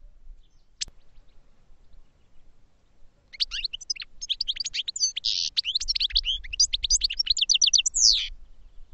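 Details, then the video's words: Goldfinch giving one sharp high note, then after a pause a sustained, tumbling twitter of rapid chirps, slurred whistles and buzzy rasps lasting about five seconds. Soft low background noise runs throughout. "Goldfinch Song to Educate Newcomers to Their Call"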